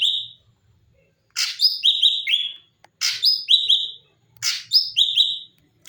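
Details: Cucak cungkok bulbul in full song, original varied voice used to tutor cage birds: three clear phrases, each a sharp upward flick followed by a cascade of ringing, stepwise falling whistles, separated by short pauses.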